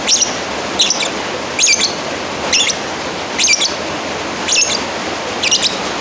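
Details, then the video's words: Lovebird summoning a rival: seven harsh, squeaky shrieks at a steady pace of about one per second, each a quick chattering burst, with background hiss throughout. "Suara Asli burung lovebird Manggil lawan"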